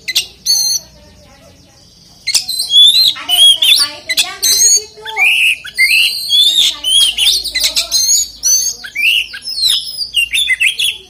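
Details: Oriental magpie-robin singing a lure song to set other magpie-robins singing. A brief opening note, a short pause, then a dense, varied run of sweet whistles, slurred notes and scratchy chips that continues without a break.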